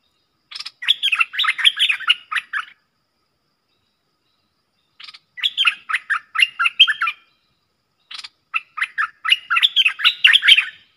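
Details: Streak-eared bulbul pair fiercely dueling in song, used as a lure, recorded 30 October 2021: three bursts of bubbly, chattering phrases, quick warbled notes rising and falling, separated by pauses of about two seconds.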